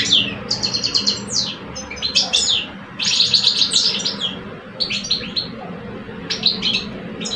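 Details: Singing contest between two caged male goldfinches in Algeria, one a seasoned adult, the other two years old; bursts of quick liquid twitters and trills, separated by short pauses, over a low background hum.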